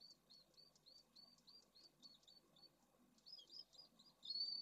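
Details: Pallid swifts nesting in a drum at Esclavas de Jerez, Spain, with eggs and well-developed chicks: a quick series of short high chirps, a brief pause, then jumbled twitters ending in a drawn-out thin whistle.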